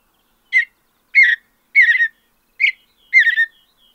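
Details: Short burry warbled notes from a Mountain bluebird in open North American high country, five phrases spaced roughly half a second apart, some doubled or tripled, clean and quiet between them.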